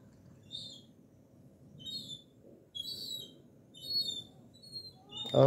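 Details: Young gulls begging for food at a kitchen door: a run of six thin, high, piping whistles spaced roughly a second apart, ending with a sharp knock.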